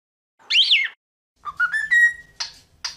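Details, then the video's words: Cockatiel gives a loud arched chirp, then a quick rising run of whistled notes settling on a held tone, followed by two short raspy calls. "Cantos De "Calopsita" MAIS BONITOS e MELHORES - Cockatiel Singing"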